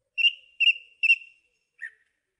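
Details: Song thrush singing three identical clear whistled notes in a row, each fading out, followed by one lower, softer note.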